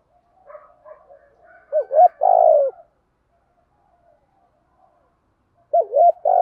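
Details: Decoy spotted dove in 'giọng thổ' voice, played to make wild males coo: faint soft cooing leads into a loud pair of quick coos and a long vibrating coo, then a pause and another pair of coos.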